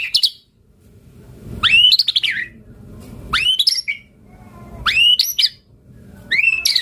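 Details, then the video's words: White-rumped shama lure recording: harsh upslurred squawking notes, each rising sharply then breaking into rough high fragments, repeated roughly every one and a half seconds. "Pancingan Murai Batu Gacor Auto NYAUT Langsung RESPON - Masteran Suara Burung Murai Gacor Full Isian"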